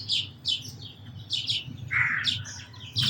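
Sparrow chirps, short bright notes repeated about every half second, with one longer lower chirp; a low hum runs underneath.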